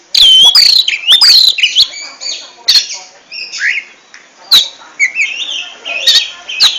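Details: Ngentrok-style song of an oriental magpie-robin: loud whistled phrases that bend up and down, mixed with sharp clicks and brief buzzy notes, delivered in irregular bursts about once a second.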